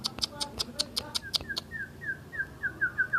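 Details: Asian brown flycatcher singing: a rapid train of sharp, dry clicking notes, then a smooth run of short, falling whistled notes repeated about four per second, against a faint low hum.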